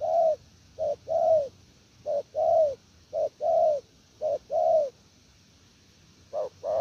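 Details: Wild-caught spotted dove cooing in the 'gù lèo nước' style: a short doubled note followed by a longer, slightly falling mellow coo, repeated about once a second in steady phrases against a quiet background.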